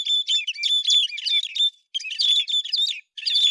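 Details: Héc xoan bird singing in September 2020: dense bursts of high, chattering twitter with a steady whistled tone running through, broken by two brief pauses.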